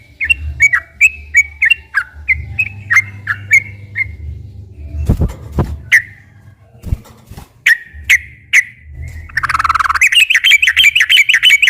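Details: Sooty-headed bulbul in long, continuous chattering song, used as a lure to stir captive bulbuls into singing: short, clear, downslurred whistled notes about three per second, a few dull knocks midway, then a dense, harsh, rapid chatter, over a low hum.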